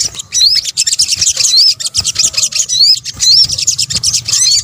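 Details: Sunbird calls in a bird-luring mix from Indonesia: bright rising whistled notes repeating roughly every second over a steady backdrop of high, thin twittering chatter.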